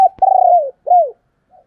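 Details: A single female spotted dove call in the 'thổ đồng' style, used to attract males: a drawn-out hollow coo, a short click, then a second downward-curving hoot and a faint trailing note.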